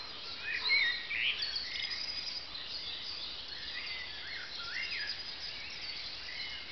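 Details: Garden birds singing early in the morning at dawn, fed daily; several distant overlapping songs with thin whistled slurs and rising and falling phrases over steady background hiss.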